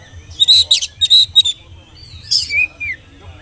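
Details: Whistling oriental magpie-robin, used as a lure to get young birds singing; a rhythmic series of five quick buzzy whistled bursts, then a pause and a drawn-out falling slurred whistle.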